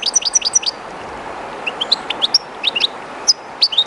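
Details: European goldfinch singing very close to the flowing water of the Jerte river: a quick run of four sharp repeated notes, then looser tinkling chirps and twitters, steady river murmur behind.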